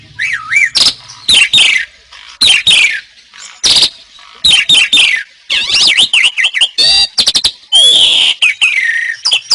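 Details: Asian pied starling song made for training competition birds: loud, varied phrases of wavering whistles, sharp clicks, and scratchy squawks, broken by brief silences.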